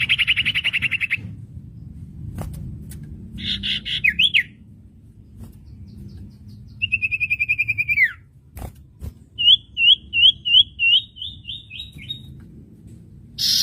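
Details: Common iora song variations for training caged birds: a buzzy trilled phrase, a rattling burst, a falling trilled whistle, then a string of about eight short looping whistles, with clicks between phrases.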